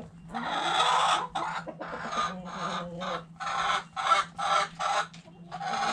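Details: Backyard chickens in a coop, hens clucking: a run of loud, broad, harsh clucks in irregular bursts, several per second, with a steady low hum beneath.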